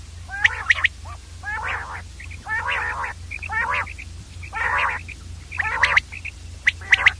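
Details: Common Quail, local name batir, producing mostly coarse nasal bursts about once a second, interspersed with brief high clipped notes, over a low background hum.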